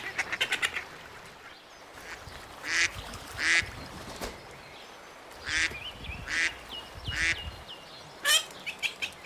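Ducks give harsh, nasal quacks in short bursts at an irregular pace, with a few thin, rising whistled notes in between.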